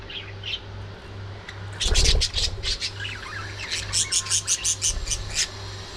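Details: At early morning feeding time, budgies let out a loud squawky burst, then a rhythmic series of quick, high chirps repeated several times a second, with a constant low hum underneath.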